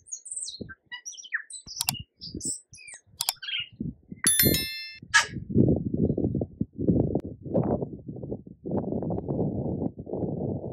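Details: Tui singing somewhere in New Zealand among yellow kōwhai blossoms: scattered high whistles and clicks, then a ringing bell-like chime, followed by several seconds of loud low rumbling noise.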